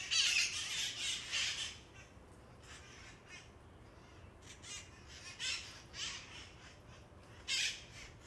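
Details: Noisy feral parrots near Coit Tower on Telegraph Hill, San Francisco, descended from released pets: loud harsh screeching squawks burst out in the first two seconds, then scattered rasping calls return, with a strong final screech near the end.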